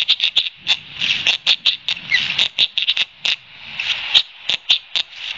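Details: Aggressive red-winged blackbird at Long Beach Island, NJ, in June, mobbing nesting ospreys within its territory: quick, harsh chip notes come in irregular bursts, some doubled, with a faint low rumble beneath.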